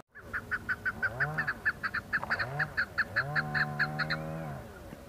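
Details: Several chukar partridges call in the Budgam hills of Kashmir, October 2021, with a rapid run of sharp, repeated chuck notes, joined by low, droning, wavering tones that rise and fall in the background.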